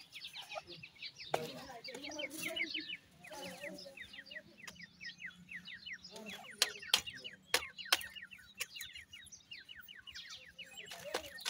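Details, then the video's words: Fighting grey francolin chicks give rapid overlapping series of short, high, down-slurred peeps, repeated many times a second, interrupted by sharp clicks and knocks. "dakhni teetar chicks fighting,indian gora teetar chicks voice"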